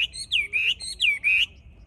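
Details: A captive Chinese Hwamei in Hai Phong, Vietnam, on 25 January 2024, in cold windy winter weather of about 8–10°C, sings loud, clear whistled phrases that slur down then sweep up, about four notes in under two seconds, over faint low wind.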